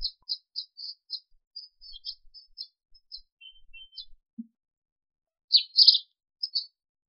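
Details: African sparrow twittering: a quick series of short high chirps and a lower, drawn-out note, then a pause and a louder cluster of harsher chirps near the end.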